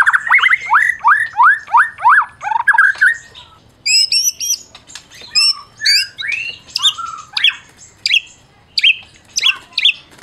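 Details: Champion Medan white-rumped shama in captivity, song for provoking silent shamas into singing: a run of fast repeated rising whistles, then a varied mix of high chirps, trills and slurred notes.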